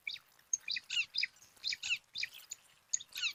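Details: Begging bar-winged prinia chicks, five nestlings competing for food at a nest in alang-alang grass, give harsh, buzzy, high chirps in quick uneven bursts, several overlapping, with brief gaps between.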